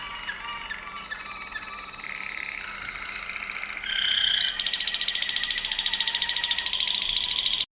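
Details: A Waterslager Malinois canary, Serbia, starts with soft warbled phrases that swell into a loud, fast, buzzy trill held for several seconds before stopping abruptly.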